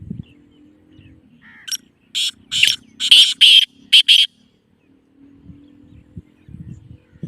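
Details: Black francolin call played to a kept francolin to make it call: one short note, then a rhythmic burst of about six harsh, grating notes, with low rumbling noise before and after.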